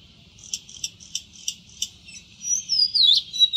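Oriental magpie-robin singing: five short high chirps about a third of a second apart, then a fluid, wavering whistled phrase sliding up and down.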